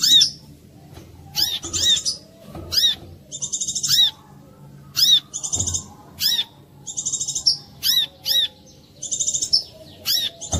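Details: Brown-throated sunbird singing a clear lure song meant to set off other sunbirds: steady alternation of piercing arched chirps and short rattling trills, many phrases in quick succession, with occasional soft low thuds.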